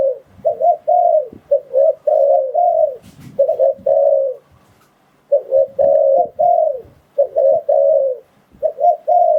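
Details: Trapping lure of a spotted dove: repeated coo phrases of two quick notes and a drawn-out falling coo, with a pause of about a second between phrases and occasional faint knocks.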